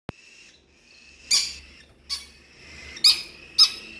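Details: Tame conure and cockatiel squabbling over food: harsh, broadband squawks in short bursts.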